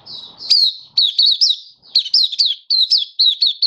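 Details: Malaysian white-eye in full opening song, Kitaro style, recorded in Singapore on a warm, sunny day in March 2023. A dense stream of high, sweet, twisting notes in quick bursts, with almost no pause between phrases.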